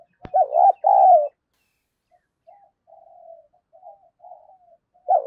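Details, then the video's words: Lure spotted dove, 'giọng đồng pha' voice, provoking fighting; a loud deep coo phrase with a sharp click at the start, followed by soft murmured coos and another loud note at the end. "Chim Cu Mồi Giọng Đồng Pha Thúc Đấu, cu gay kich boi nhanh noi"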